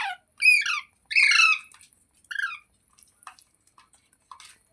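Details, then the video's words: Green parrot, a rose-ringed parakeet, calling in a small room: harsh, descending squawks in quick bursts, a few loud ones early and then fainter clicks and short notes. "Green Parrot Talking | Funny Parrot Sounds Videos | मिट्ठू की आवाज़ | तोते की आवाज़"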